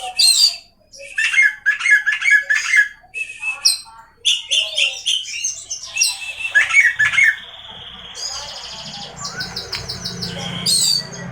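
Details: Oriental magpie-robin, kept bird in Indonesia, pouring out a busy song of chirps, scratchy notes and whistles, ending in rapid repeated trilled phrases over a faint low hum.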